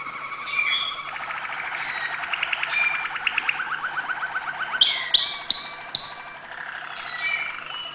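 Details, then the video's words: Malinois canary singing acute notes: long rolling trill of rapid repeated notes, followed by sharp high whistled notes with short gaps between them. "malinois singing acute notes"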